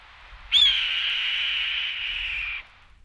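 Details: A single hoarse, drawn-out scream from a Red-tailed Hawk, about two seconds long, opening with a sharp high note and sliding slightly downward.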